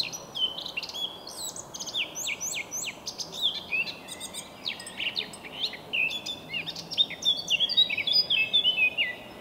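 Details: Eurasian blackcap (Sylvia atricapilla) singing early on a morning in early May: quick, chattering high notes running into clear fluty phrases, with other birds chirping in the background throughout.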